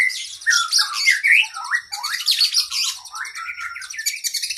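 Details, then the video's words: Oriental magpie-robin singing a lively cage-bird training song: a tumbling mix of slurred whistles, squeaky rising notes and harsh buzzy chatter, delivered almost without pause. "Masteran Burung kacer Gacor isian Panjang Paling Ampuh"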